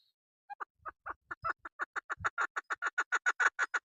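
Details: A local female chukar (keklik) used by hunters starts quietly with scattered notes, then builds into a fast, even chain of throaty chuck calls, with soft low bumps early on.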